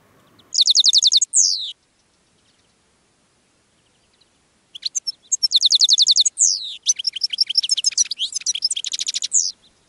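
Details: European goldfinch, kept in a cage, calling out to wild goldfinches in a thistle patch: rapid high ticking trills and sharp descending notes in two long bursts separated by a few seconds of silence.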